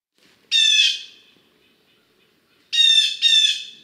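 A Blue Jay gives three harsh, nasal 'jay' screams: one, a pause of about two seconds, then two in quick succession. No other sounds are heard.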